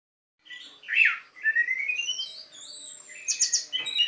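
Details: Orange-headed thrush singing in the teler style, used to stimulate a silent orange-headed thrush. After a short pause comes a loud slurred note, then long thin rising whistles and high sweeping phrases, ending in rapid bright trills.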